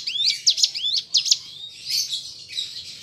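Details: Ciblek gunung, the hill prinia, singing in a recording meant to coax kept birds into song: quick upslurred whistles and sharp chips, then a denser buzzy stretch of twittering, over a soft low background hum.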